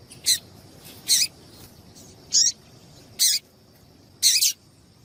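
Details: Calls of a female double-collared seedeater, played to warm up males so they sing; five short, high, bright chips spread unevenly about a second apart, with faint background hiss.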